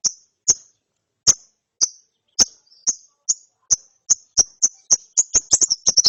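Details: Young lovebird chick chirping after therapy in the ngeriwik style: short, shrill, high chirps with sharp clicks, spaced about half a second apart at first, then speeding into a rapid, stuttering run near the end.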